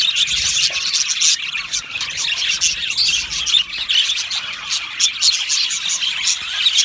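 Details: Aviary chorus of Australian budgerigars, many birds chirping and warbling at once, forming a steady high-pitched wash of twittering notes broken by sharper squeaky accents.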